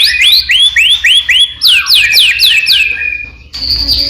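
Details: Vigorous white-rumped shama singing, played to spur other shamas into song. Repeated high upslurred whistles sweep upward in quick succession, followed by a steady high tone and a faint hiss.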